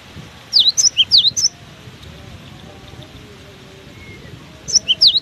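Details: Strong wind blows as a cinereous tit sings on: a quick run of seven or so sharp, high downslurred whistles, then a pause of wind, then another short burst of the same notes.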